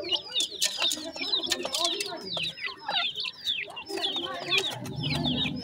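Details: Grey francolin chicks feeding, a dense chorus of shrill downslurred cheeps roughly twice a second, with low murmuring and human voices in the background.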